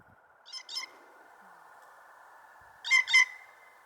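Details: A younger male Blue Jay, new to the area, gives two pairs of squeaky, creaking 'squeaky gate' notes, the second pair louder, over a faint hum. The calls are alarm-like and seemed prompted by another bird arriving, in the morning.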